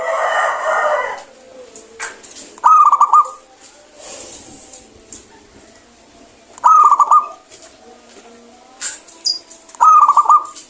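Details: Clear-voiced local zebra dove calling strongly to stir silent birds into song: three rapid, rippling coo bursts spaced about three and a half seconds apart, after an opening rush of noise and scattered clicks.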